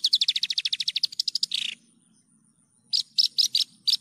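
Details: Javan bush lark, a clear song-training bird, delivering a rapid even series of about twenty sharp repeated chirps, a slurred buzzy ending, then after a pause five separate loud chirps; faint low hum beneath.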